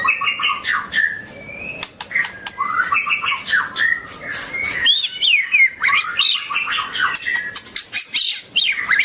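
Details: Long-tailed white-rumped shama singing a rich, fast, varied song of clear whistles, rising and falling slurs and quick chattering notes in a dense stream, with sharp clicks scattered through it.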